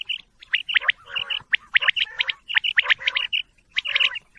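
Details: Quail calling busily: high whistled and clicked notes mixed with a rougher, grating chatter, in a near-continuous stream with brief breaks.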